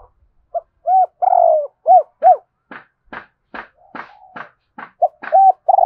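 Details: Spotted dove coos a full phrase of short arched notes and a long rolling note. A quick series of sharp clicks follows, then the cooing starts again at the end.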